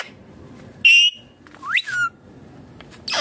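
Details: Green Indian ringneck parrot giving a short, bright, steady whistle, then a sharply rising call, ending with a harsh burst.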